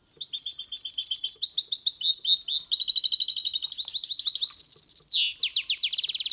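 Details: Caged mule goldfinch hybrid paired with a female goldfinch during mating: rapid, tinkling song of twittering high notes, then a buzzy burst of fast downswept trills near the end.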